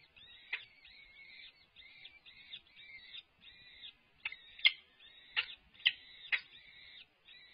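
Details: A peregrine falcon at a livestreamed nest, the male arriving with food: a run of rasping, wavering chatter calls in quick succession, with several sharp knocks or clicks among them.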